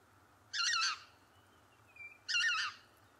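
Lesser white-fronted goose giving two shrill, squeaky yelping calls about two seconds apart, with a faint thin whistle between them.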